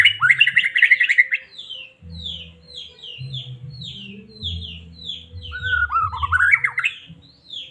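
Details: Caged white-rumped shama, Medan type, singing as a lure to stir another shama into singing: a dense trilled burst, then a long string of clear downslurred whistles and a rising warble, over a low droning hum.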